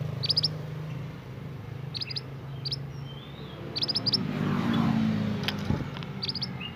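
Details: Young forest Scarlet minivet in lively song, giving bursts of sharp high-pitched chirps in quick groups spaced a second or two apart, with a constant low hum and a passing vehicle-like swell behind.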